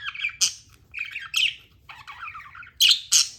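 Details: Budgerigar, a tame pet bird, chirping: loud harsh bursts near 0.4, 2.8 and 3.1 seconds set between softer warbling, chattering phrases, with a faint low hum underneath.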